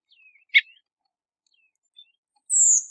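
A Redwing gives one thin, very high, drawn-out seep that slides slightly downward, after a short sharp chip and a few faint twitters.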